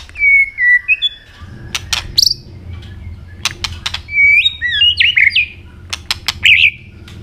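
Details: Singing robin, an Asian bird, giving clear whistled notes, some level and some sliding, mixed with quick upward flicks and sharp clicking ticks between phrases.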